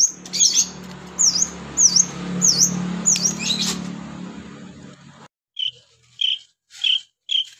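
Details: Long-tailed shrike singing actively: a row of five sharp, high whistled V-shaped notes over a low steady hum, then a brief pause and four short, lower chirps evenly spaced about half a second apart.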